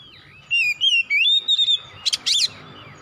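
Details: Oriental magpie-robin, kacer, singing a run of warbled whistles that rise and fall, followed by two harsh scratchy bursts, with a soft low background noise.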